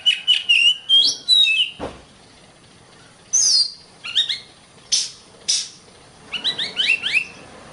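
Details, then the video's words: Kacer (Oriental magpie-robin) song from a long master recording for songbird training: slurred whistles and a low thud, a pause, a shrill descending squeal, scattered sharp notes, then a rapid string of rising chirps. "Ocehan Suara Burung Kacer"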